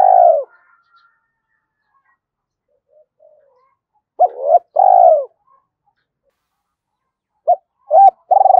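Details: Spotted dove calling continuously, 'gáy thúc' style, to lure wild doves fast. A coo tails off, then a full phrase of hooked double note and long coo, later a run of short clipped coo notes building into another phrase.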